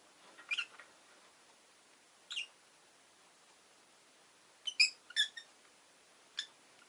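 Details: Rosy-faced lovebird chirping irregularly: a scratchy double note, a lone chirp, then a quick cluster of three or four harsh squeaks and a final one, over faint background hiss.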